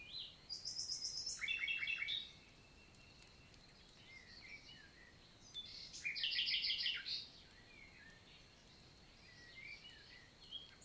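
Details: Summer daytime song of a common nightingale, Célé valley, Lot, south of France, 11 June 2023: two bursts of very fast, rattling repeated notes several seconds apart, with soft twittering of other birds and a faint steady background tone between.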